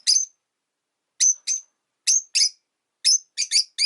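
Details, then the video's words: Pet rosy-faced lovebirds in a window-side cage in winter give sharp, whistled high chirps, single and in pairs, spaced about half a second to a second apart. "Lovebird Chirping Sounds"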